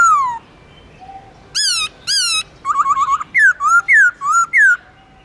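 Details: Cage-kept black-throated laughingthrush delivering forest-voice song with long slurs. A busy sequence of clear ringing whistles, a quick warbled trill of looping notes, and repeated swooping phrases, all loud against a quiet background.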